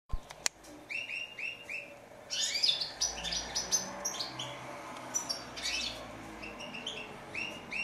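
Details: European goldfinch song: bright twittering phrases with repeated short notes around the upper mid range, a burst of dense, buzzy, tinkling trills in the middle, then more clipped repeated notes; a sharp click near the start.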